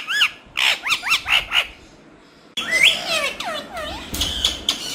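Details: Green talking parrot giving a run of harmonic, arching squawk-like calls with rising and falling inflections, a pause of silence, then longer varied chattering notes with bent, sliding tones.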